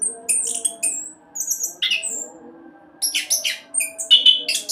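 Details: Orange-headed thrush delivering fast rolling song as a lure to get other birds singing: thin high whistles and buzzy bursts in groups separated by short silences, low hum in the background.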